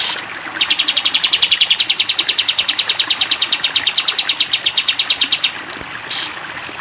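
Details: Cage-bird training recording of a sooty-headed bulbul's long 'tembak panjang' song: a steady rattle of bright, high chipping notes lasting about five seconds, framed by short rushing swishes.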